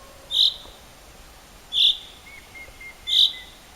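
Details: A spring bird at Rogozyanske Reservoir, Kharkiv region, on 4 April 2010 gives a short, sharp, high note three times, roughly every one and a half seconds. A faint thin whistle sounds between the notes.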